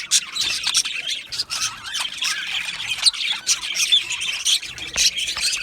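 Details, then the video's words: Many Australian budgerigars calling together in an aviary, a constant bright mesh of sharp chirps, clicks and squawks with small dips in volume. "Australian Budgie parrot video | Budgie birds chirping sounds"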